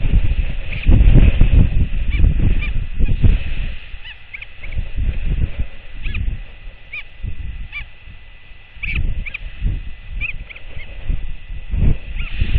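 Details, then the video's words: Royal albatross chick and its returning mother at the colony before dawn on 6.1.24, the startled chick clacking to defend itself and the mother clacking back; rapid irregular dry clacks in bursts over steady wind-like rumble, with faint higher squeaks. "Both Clack At One Another!"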